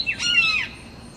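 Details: A single loud, harsh squawk from a perched red-shouldered hawk calling at rival hawks, sliding down in pitch and fading within a second, with little background noise.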